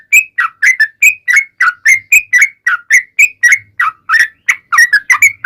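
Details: Yellow-vented bulbul in long ropel song, played to make other bulbuls respond: rapid, liquid whistled phrases of two or three notes each, rising and dipping, repeated with almost no break.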